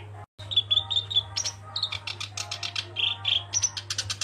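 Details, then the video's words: Black-browed reed warbler in lively song: clear whistled notes followed by fast dry chattering trills and scratchy notes, with a brief dropout at the start and a constant low hum beneath. "Burung Kerak Basi Alis Hitam "Sincan" Gacor!!!"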